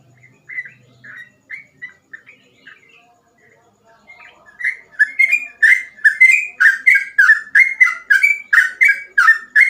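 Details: Sooty-headed bulbul delivering ropel-style song suited as a tutor for young trucukan: a few quiet whistles, a brief lull, then a fast, loud run of rich, buzzy whistled notes repeated roughly twice a second.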